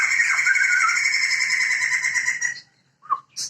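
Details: Male and female Sumatran laughingthrush, a pair of this protected Sumatran endemic, in a loud sustained harsh cackling chorus, dense and noisy for over two seconds, then breaking off into one short whistled note and a squeak.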